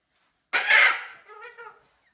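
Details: Pet cockatoo, one of a household's Gang-gang, Red-tailed black and Major Mitchell's cockatoos, gives a single loud, harsh rasping screech lasting about half a second, trailing into softer buzzy harmonic notes, in a quiet room.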